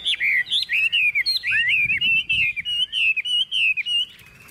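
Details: Hand-carried caged Chinese hwamei, tame, singing as the cage is shaken: an unbroken, rich warble of wavering, slurred whistles, fluid and varied, with faint high ticks.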